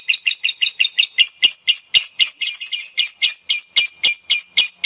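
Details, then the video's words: Lovebird song used as a lure recording to prompt other lovebirds to sing, a long-duration gacor style: sharp, high chattering notes repeated about four times a second in a steady rhythm. "SUARA PANCINGAN LOVEBIRD DURASI GACOR PANJANG"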